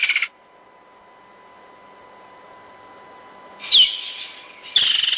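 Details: A woodland kingfisher (Halcyon senegalensis), an insect-eater heard as summer approaches, gives a sharp high note running into a fast, rattling, laughter-like trill, over a steady electronic hum.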